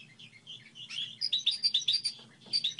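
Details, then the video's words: Goldfinch hybrid singing a song model, with a few soft chirps followed by rapid high twittering notes repeated in quick succession, over a low steady hum. "Hibrid sticlete ,model de cântec (Goldfinch hybrid)"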